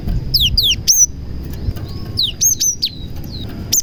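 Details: Cinereous tit with a prenjak-filled (prinia) song, used to stir other tits to sing. Paired falling slurs are followed by sharp clipped chirps in loose groups, with a thin continuous tone and soft low noise.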